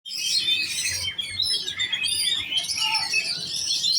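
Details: Young oriental magpie-robin in competition trim, singing a dense, rapid run of high whistles, chirps and trills that fills the whole passage with barely a pause. A faint low hum sits underneath.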